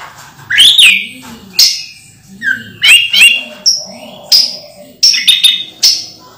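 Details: Orange-headed thrush kept in a cage and moulting, singing in separate loud high phrases of clipped whistles and chattering notes about every second, with a low murmuring voice underneath.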